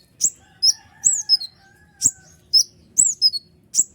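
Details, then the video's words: Noisy kolibri ninja sunbird delivering its provoking song, used to stir lazy birds: bright, thin, falling chirps spaced about half a second apart over a faint hum. "Jangankan konin burung ciblek pun emosi mendengar suara ribut kolibri ninja gacor nembak full durasi"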